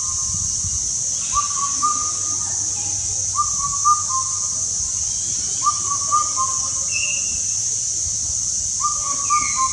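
An Indian cuckoo repeats its four-note whistled phrase about every two seconds against a steady high insect drone, with a brief call from another bird.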